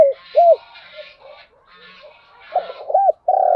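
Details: Spotted dove calling as a lure to stimulate other doves: short arched coos, a stretch of softer notes, then a quick stutter of coos and a long sustained final coo, with faint twittering chatter in the background.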